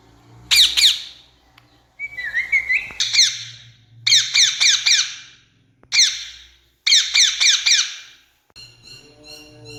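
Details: An Indian rose-ringed parakeet gives harsh, screeching squawks in bursts of three or four, with one rising whistled note between bursts. It is a calling sound meant for attracting ringneck parrots.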